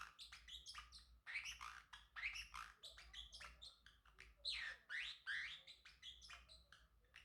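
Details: Singing male Pacific parrotlet, a pet bird, gives a sustained babbling stream of high chirps, buzzy rasps and rising squeaks for about seven seconds, dense and irregular.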